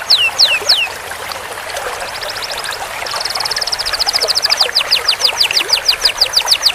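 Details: Canary singing a training song with long rolls: a few sharp falling whistles, a short pause, then a rapid high trill that slows into repeated down-curving notes, with steady hiss beneath.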